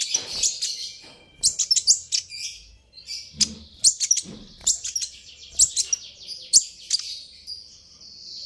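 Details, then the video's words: A sunbird ("Kolibri ninja") gives rapid, very high, thin chirps and sharp ticking notes in quick irregular bursts, ending in a brief high trill; this sound is said to provoke other sunbirds into answering. "suara ini bisa bikin Kolibri ninja naik pitam"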